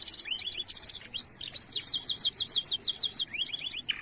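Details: Canary song meant to stimulate other canaries, made of high chirps and quick rattles leading into a steady series of sharp downslurred whistles, about four per second, then soft rising notes.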